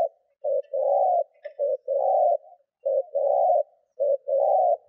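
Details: Decoy spotted dove cooing to lure wild doves: four low, mellow coo phrases in five seconds, each a short note followed by a longer sustained hum, with a faint brief chirp in the background.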